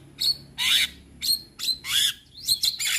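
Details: A male Javan myna, used as a tutor and lure for other mynas, gives harsh, buzzy, high-pitched bursts: five or six rasping phrases in three seconds with brief gaps, some with a quick rising whistle.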